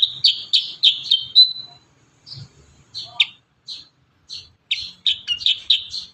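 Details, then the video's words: Kurincang singing as training audio for young birds: clean, loud, buzzy high notes in fast runs of four or five, a short gap, then another quick rippling series. "Masteran terbaru burung kurincang gacor isian"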